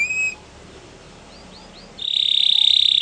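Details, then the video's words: Canary singing: a few short high notes, a quiet pause, then a loud, fast, even trill held on one high pitch to the end. "Canary Bird Singing | The Best Canary Song"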